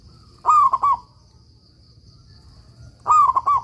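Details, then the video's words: Zebra dove of a local strain singing keenly, meant as master audio for silent doves; two phrases about two and a half seconds apart, each an upslurred coo followed by rapid bubbling notes. "suara perkutut lokal gacor"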